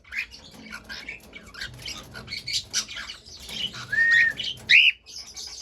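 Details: Cockatiel singing amid dense chirping and rustling chatter, ending in two clear whistles near the close, a level one followed by a short rising one.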